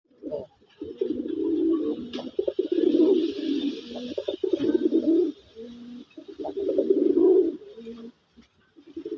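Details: Powerful male local deshi pigeon giving its bak or kum call: deep, throaty coos in long rolling phrases, a few seconds each, broken by short pauses, with some faint background noise.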